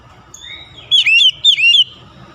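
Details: Kacer, or Oriental magpie-robin, delivering a short melodious song: a faint rising whistle, then two loud bursts of quick, sweeping, warbled notes about half a second apart over soft background noise.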